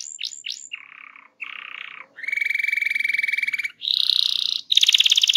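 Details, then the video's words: Canary rolling song intended to get other canaries singing, a varied sequence of sharp falling notes, low buzzy rattles, a long mid-pitched roll and higher pulsed trills separated by short pauses. "RANSANG BURUNG KENARI CEPAT BUNYI GACOR DENGAN SUARA KENARI GACOR NGEROL INI!"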